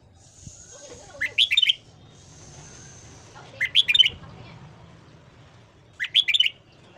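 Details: Red-whiskered bulbul morning song used for voice training: three short bright warbled phrases, each a quick cluster of rising and falling notes, spaced about two and a half seconds apart, with a faint steady high hiss between them.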